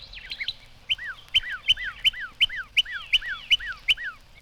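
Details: Northern Cardinal, a southern bird spreading northward, recorded by Cornell's Laboratory of Ornithology. A two-part whistled phrase repeats about eight times at a steady pace: a sharp upslurred note, then a falling slur, described as "hurry home, hurry home."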